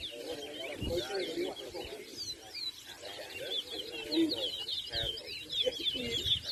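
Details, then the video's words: Competing towa towa at a 2023 bird-singing race in Anna Regina park, Essequibo, Guyana; fast, sweet twittered notes and slurred whistles pour out continuously, with murmuring people and brief speech underneath. "TOWA TOWA BIRD RACE"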